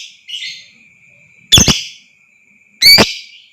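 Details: Lure recording of a lovebird, meant to raise other lovebirds' excitement into long 'ngekek' trills: a soft buzzy chirp, then two loud, rasping shrieks spaced about one and a half seconds apart.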